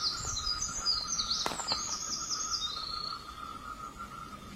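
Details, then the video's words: Robin singing: a run of high, thin chirps and short twitters for about three seconds, over a steady buzzing tone and faint background noise. "burung robin"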